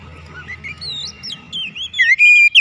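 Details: Domestic Oriental magpie-robin in daily therapy, singing actively: soft twisting whistles and warbles build into a loud, sharp rising whistle and a long steady note near the end, over a low background hum.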